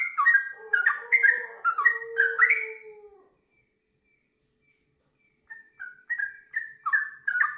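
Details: Sooty-headed bulbul song in the gacor style with ngiwir and long ropel phrases: bubbly, rich whistled notes in quick bursts, a pause of about two seconds, then more fluty chattering phrases.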